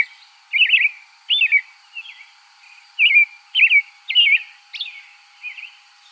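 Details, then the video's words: An American robin sings a run of short, liquid, whistled phrases rising and falling, about eight in six seconds, some loud and some soft. "American Robin"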